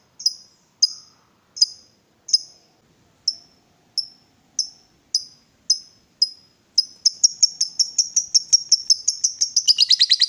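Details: Lovebird roused to call, starting with spaced sharp high chirps roughly every 0.8 seconds, then accelerating into a fast, rolling ngekek chatter that builds to a dense, slightly lower trill at the end.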